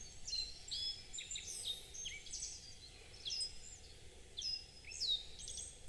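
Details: Wild birdsong at the foot of Mount Tokachi in Hokkaido, in front of a mountain lodge, recorded quietly: bright high whistled phrases and sharp downslurred notes from several singers, repeating in bursts every second or so over faint background hiss.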